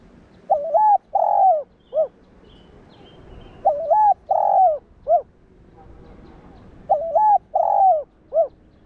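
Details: Spotted dove cooing to provoke and train captive doves: a three-note phrase, a wavering coo, a fuller drawn-out coo and a short final hoot, repeated three times about every three seconds against quiet background.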